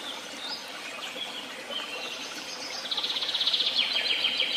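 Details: Birds singing: scattered high twittering, then a fast, regular trill of bright repeated notes that grows louder for the last second and a half over steady outdoor noise.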